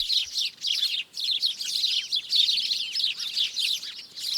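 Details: Several birds singing together in a tree: a dense chorus of high, quick chirps and twittering trills that overlap continuously, with brief dips in loudness near the start and after one second, and no other sounds.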